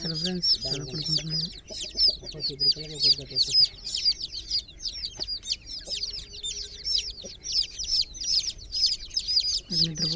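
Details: Groggy chicks in a water pool keep up a busy chorus of high, sharp chirps, with speech at the start and end and a faint tone in the middle.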